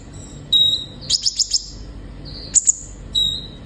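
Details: Olive-backed sunbird song played to coax captive birds into singing: thin whistle, a quick series of four high sharp notes, a brief pause, two piercing chips and another whistle.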